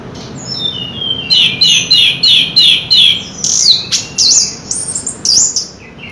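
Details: Chestnut-capped thrush in full song. Descending whistles lead into a run of about seven repeated buzzy phrases, then sharp inflected whistled notes, over a faint hum.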